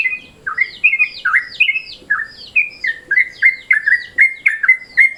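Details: Midday-mode Yellow-vented Bulbul calling, played to lure birds: a steady run of bright chirps, each a short upward or downward slur, repeated roughly every third of a second with echoing higher harmonics.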